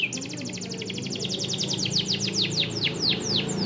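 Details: Small standard AF canary, bon-coloured, used as a tutor for young canaries, giving a long accelerating then slowing trill of repeated sweeping notes, roughly four per second, over a soft low background rumble.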